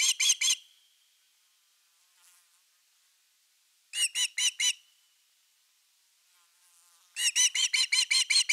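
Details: Osprey at a Finnish nest camera on 30 August 2021, evening fish time: three separate bursts of quick, high chirps, the last and longest running about eight notes, with quiet pauses between.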